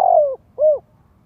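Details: Spotted dove (Spilopelia chinensis) lure call played to prompt young birds to practise cooing: two soft, low coos, a longer note sliding gently downward, then a shorter rounded one, in a quiet background.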